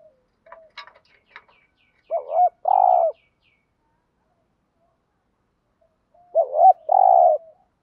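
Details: Spotted dove decoy bird giving urging coos used to stir up wild doves: two bursts of low, rounded coos, each a short note and a longer sustained one, with faint chirps from another bird at the start.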